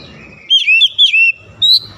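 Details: Oriental magpie-robin singing in morning sunlight: clear whistled phrases of sliding notes, several short bright whistles in quick succession, then a rising whistle after a brief pause.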